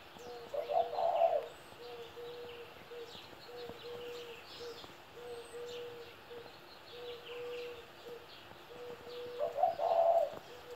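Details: Spotted dove, a 17-year-old kept bird, giving two brief coos near the start and end, separated by a long run of steady low tonal hum, likely electrical.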